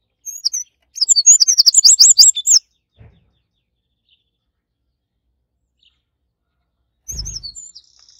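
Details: Eurasian wren at the nest: loud high-pitched song of quick whistled notes bursting into a rapid rattling run lasting about two seconds, then silence apart from a faint thump, before a softer burst of notes and a short trill starts near the end.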